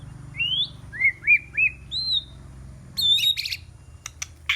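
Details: White-rumped shama singing as a decoy for rival birds: a few clear upslurred and downslurred whistles in a row, then a sudden loud burst of harsh high notes and sharp clicks, over a faint low hum.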